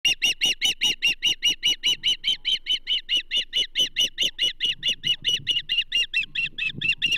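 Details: Banded female osprey at the Charlo nest on 27 April 2024, as a whole whitefish is delivered. Steady series of sharp, high whistled chirps, about two per second and evenly paced throughout, with faint low rustling beneath.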